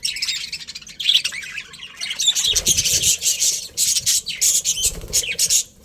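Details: Chirping from a colony of colourful budgerigars, including a breeding pair: a continuous high, buzzy twitter that grows busier in the second half, with rapid clipped notes and squawky chirps overlapping.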